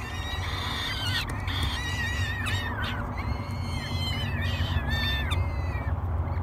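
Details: Three hungry peregrine falcon chicks beg at breakfast on a live nest cam at Great Spirit Bluff, 24 May 2022: harsh, wavering, harmonic-rich wails repeated in overlapping series, over a steady low hum.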